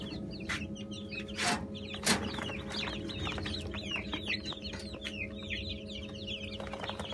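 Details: Newly hatched Brahma chicks, a batch of about 80: many overlapping high, downslurred peeps fill the recording continuously, with a few loud knocks and a steady low mechanical hum.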